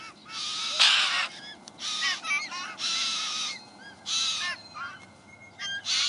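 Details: A party of White-winged Choughs in south-east Australia that are caring for young perform a display to a fledgling. Several birds give harsh, grating bursts interleaved with mournful descending whistles in overlapping, irregular bouts.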